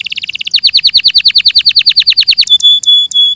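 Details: Canary singing in clear audio: a quick high chatter leads into a long string of loud, evenly spaced downward-swept notes, then a few piercing steady whistles close the phrase.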